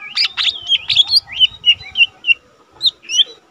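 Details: Lesser green leafbird, a young cage bird serving as a singing tutor, giving loud rich chirps, then a steady series of short whistled notes about every third of a second, ending with a few separate calls.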